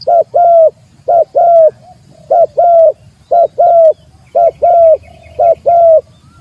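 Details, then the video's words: Spotted dove calling to challenge a rival: loud, mellow coo phrases, a short note then a longer falling coo, repeated about once a second over a soft low background. "suara burung tekukur manggil lawan"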